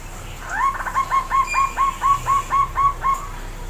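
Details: Zebra dove calling loud and strong: a rapid run of about eleven short, evenly spaced cooing notes, roughly four per second, over faint background noise.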